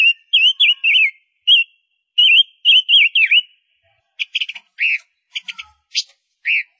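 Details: A female Gouldian finch, used as a lure bird, gives a run of wavering, high whistled notes, then a few quick dry clicks and short buzzy chips, with clear pauses between phrases.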